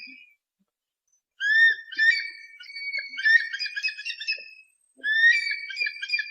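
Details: Eagle calling, played to drive off pests; after a brief quiet start, upslurred whistles run into a busy stuttering chatter, then a fresh phrase begins near the end.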